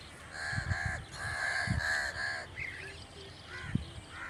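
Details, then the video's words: Crow cawing in quick, harsh bursts, several rasping notes close together, then quieter calls after a pause, with low knocking sounds in the background. "The amazing birds natural crow sound"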